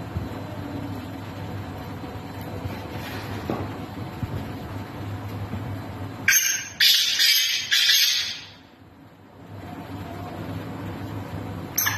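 Steady low rumble of traffic or machinery, broken by a few seconds of loud rustling hiss, with no animal voice.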